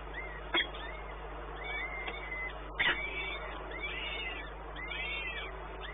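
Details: Peregrine falcon at the Orlen site, Płock, Poland, on 1 May 2019 at midday; repeated curved, wavering calls grow busier toward the end, with two loud clicks and a continuous low hum underneath.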